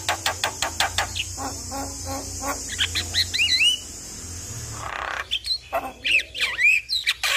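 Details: Song of a Javan myna, played to coax a quiet myna into singing. Quick rasping notes give way to a noisy burst, then curved whistles and chatters.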